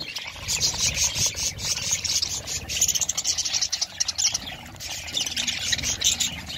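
Budgerigars keep up a steady, high-pitched chatter of overlapping chirps and warbles, several birds calling at once with no pause.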